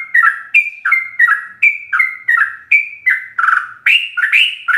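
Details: Sooty-headed bulbul in rapid ropel song with full fill-ins, used to train caged birds: repeated whistled phrases dropping to warbles, ending with louder, harsher, richer notes.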